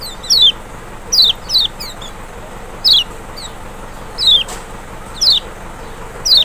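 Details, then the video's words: Lemon-bellied white-eye (Kecial from Lombok or Sumbawa, Zosterops chloris maxi) giving a provoking trigger song: shrill descending whistles, some in quick pairs, spaced about a second apart, with a soft click midway and steady hiss. "panciangan sepesial Kecial malas bunyi nggak mungkin nggak respon"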